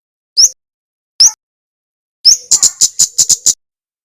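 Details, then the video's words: Male Javanese flowerpecker singing actively, recorded as training audio for other caged flowerpeckers: two isolated sharp upslurred notes, then an upslur leading into a quick run of six dry, very high ticks; quiet background. "suara kemade gacor"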